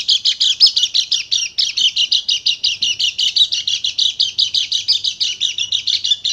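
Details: High, rattling chatter of a Dakun Bali white-eye, described as full shooting song meant to provoke other white-eyes into singing; dense chirps repeat nearly three a second with no break.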